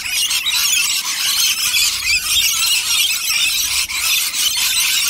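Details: Rainbow lorikeets in a huge flock flying over a home and feeding on nectar, a dense continuous wall of harsh, high screeching chatter with no pauses.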